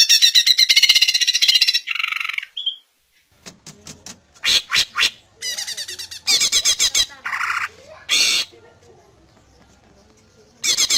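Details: Greater green leafbird song played to make other leafbirds answer: loud, high, buzzy and rattling bursts, some with fast stuttered notes and some longer harsh chatters, separated by short pauses.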